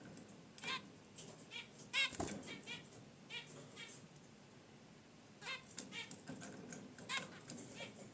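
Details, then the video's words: Pet zebra finches in their cage, relaxing by their wicker basket nest, give short nasal, trumpet-like honks and chirps in scattered clusters every second or two, with rustling and a sharp click or knock partway through. "Zebra Finches in Their Cage: Natural Chirps & Sounds"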